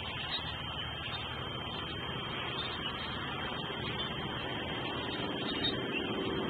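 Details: Continuous engine-like rumble and broadband hiss throughout, with no calls from any animal.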